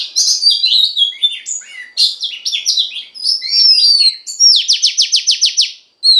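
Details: Female Oriental magpie-robin singing to rouse the male, a busy stream of varied warbled and slurred whistles and chirps, ending in a quick run of about eight sharp descending strokes and a final whistle.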